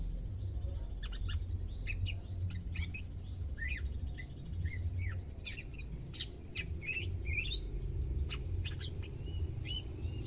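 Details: Captive greater green leafbird on its second day of care in Indonesia, beginning to sing actively: a varied run of short whistled notes and sharp chirps, many rising or falling quickly, scattered over low background rumble.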